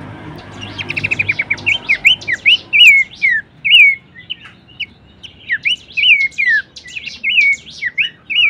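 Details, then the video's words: Bush warbler song used as training material for cage birds: it opens with a rapid trill of short notes, then gives a long series of curling, rising-and-falling whistled phrases with brief pauses between groups. "materi vokal mewah cetak jawara dengan masteran Topcerr khas burung pelanduksemak"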